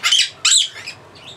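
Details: Captive blue-crowned parakeet, a male kept as a pet, shrieking loudly: two harsh, piercing screeches in quick succession, then a fainter trailing squawk.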